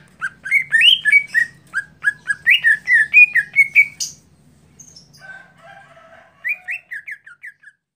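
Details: Competition greater green leafbird singing a rapid series of mid-pitched whistled upslurs, then a pause and a softer run of short whistled notes.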